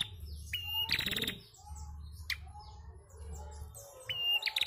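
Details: Female bar-winged prinia call, used to stimulate young untrained prinias to call: a high, thin held whistle snapping into a sharp buzzy rattle, repeated about every three seconds over a faint low hum.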